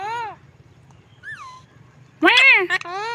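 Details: A pet parrot making unusual sounds never heard from him before: a short arched squawk, a soft falling whistle, a loud rising-and-falling cry and a final drawn note, over a low hum.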